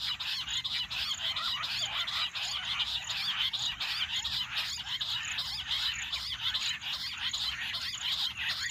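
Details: Jungle bush quail chorus used as a hunting call: dense, unbroken chattering of many birds, rough notes pulsing rhythmically, with a steady high-pitched whine throughout.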